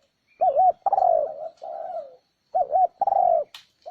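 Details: Spotted dove lure call for attracting wild doves: a wavering two-note coo, a long falling coo and a softer trailing coo, then the wavering double note and long coo repeat, with a sharp click at the end.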